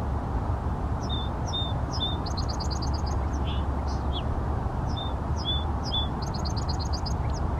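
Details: Song sparrow singing in Seattle: two songs, each opening with three clear separated introductory notes followed by a fast buzzy trill and a few ending notes, over a constant loud low rumble of traffic or city noise.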